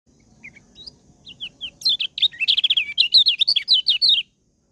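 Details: Lombok white-eye singing: a few soft, separate high chirps, then a fast run of loud, sharp, rising and falling twittering notes about four per second, ending abruptly; quiet background.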